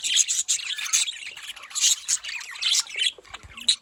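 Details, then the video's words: Excited budgerigar flock gives harsh squawky chirps and buzzy warbles in quick bursts, loud and overlapping throughout. "parrot calling sound"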